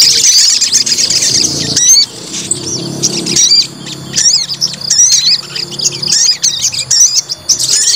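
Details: White-rumped shama stirred up to test its fighting spirit, pouring out varied high whistles, sharp slurred notes and rapid trills, with a short pause near the middle and faint low hum beneath.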